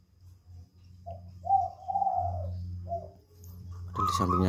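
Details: Spotted dove cooing in a jungle fowl breeding cage: a few short, low coos and one longer drawn-out coo, then a loud harsh crowing sound at the end, with a low hum throughout.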